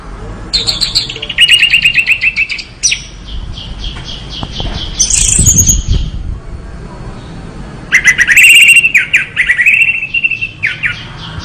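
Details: Orange-headed thrush pouring out rapid rattling trills and repeated chirps, with a burst of wing flutter midway and later a loud, dense run of stuttered notes.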